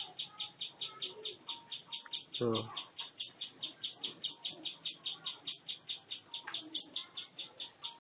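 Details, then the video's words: A prinia known as ciblek sawah sings its extreme fighting song. Evenly spaced, buzzy high notes repeat continuously for eight seconds, broken once by a short rattling burst, with faint whistles in the background. "Burung Jawara Ciblek Sawah Gacor Tarung extream"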